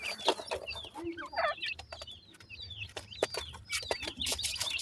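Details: Black francolin chicks: a dense stream of high, quick downward peeps, interrupted by clicks and rustling bursts over a faint low hum.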